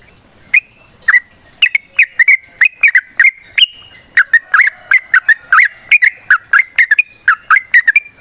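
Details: Yellow-vented bulbul (trucukan) in long, rapid wild-style song, played as a lure to prompt other trucukan to sing: dense series of short, sharp whistled chirps, many falling or hooked, about one per second or faster, with faint high tones behind.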